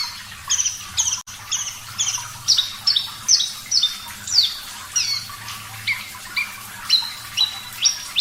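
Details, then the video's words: Energetic Javan bush lark song, clear-voiced master recording for training songbirds: quick run of high chirps and downslurred whistles, several per second, easing into evenly spaced flat whistles. "Masteran Branjangan Parva Gacor Suara Jernih, Terapi Air"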